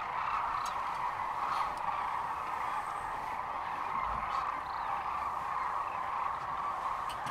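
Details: A big gathering of sandhill cranes at Rowe Sanctuary, Nebraska, on March 13, 2014, keeps up a constant chorus of rolling calls, with brief louder notes scattered through the dense background.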